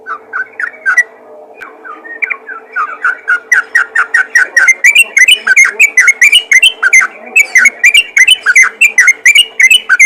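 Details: Chatty yellow-vented bulbul calls to others of its kind, starting with softer spaced chirps and building into a dense, rapid stream of bubbly notes, with a steady hum underneath.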